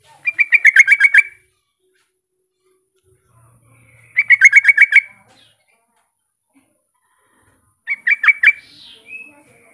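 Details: Rival-calling sooty-headed bulbul, used to provoke other bulbuls into calling back: three fast rattling runs of clear, sharp notes, each lasting about a second, spaced by roughly three seconds of near silence.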